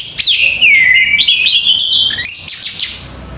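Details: Short burst of song from an orange-headed thrush: a downslurred whistle melting into a sustained wavering warble, then quick sharp upward chips, close and clear.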